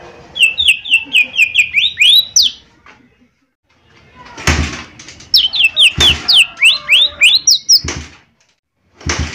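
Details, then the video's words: Long, energetic phrases from a lesser green leafbird (cucak ijo mini): strings of seven or eight rapid, down-slurred whistles ending in higher upswept notes, twice over, broken by sharp knocks. "Cucak Ijo Mini Gacor 💯 Pancingan Paling Cepat Bunyi/Respon"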